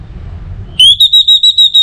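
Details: Orange-headed thrush from North Bali, used as a lure to prompt other birds to sing steadily; after quiet hum, a clear high whistle rises then repeats as about six evenly spaced pulsing notes.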